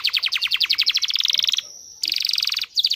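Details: Rapid rolling canary trill of evenly spaced notes speeding up, a brief steady whistle, then another fast trill burst; canary song meant to stimulate mating.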